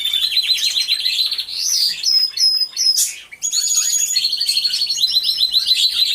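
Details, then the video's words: Canaries singing together in an aviary, from a hidden camera. High rolling trills run alongside clear whistled tones and fast chirps, with a brief lull in the middle. "CANTO DE CANARIOS | AVIARY SOUNDS (SONIDO REAL DE UN AVIARIO DE CANARIOS)"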